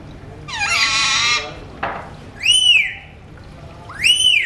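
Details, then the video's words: Pet Alexandrine parakeets, talking birds, whistling: a buzzy sustained note, then two clear arched whistles that rise and fall, each about half a second long and a second and a half apart. "Talking Parrots whistling"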